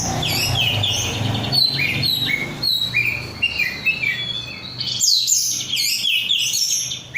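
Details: Korean-strain oriental magpie-robin, a kept bird, singing a steady run of whistled rising notes and chatter over a low background hum, then a sudden louder high-pitched flurry of twitters.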